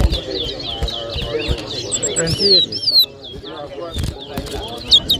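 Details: Chestnut-bellied seed finch, known locally as towa towa, singing in a bird whistling competition in New Amsterdam, Berbice, Guyana, 2023; rapid, varied high whistled notes and slurred trills pour out continuously while people's voices murmur underneath.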